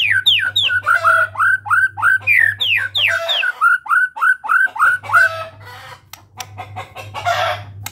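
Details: Medan white-rumped shama delivering a fast series of bright down-slurred whistles, roughly three per second, then breaking off into softer scattered notes and a harsh burst, with a low hum in the background.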